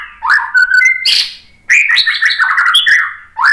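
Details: Varied white-rumped shama song meant to get other shamas singing, mixing rich whistled slurs, high squeaky notes and a fast jumbled warble in loud bursts.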